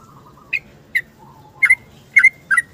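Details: Yellow-vented bulbul in the morning giving its lure song while seeking a companion. A soft low whistle opens, then five sharp chirped notes follow, the last three doubled and spaced about half a second apart.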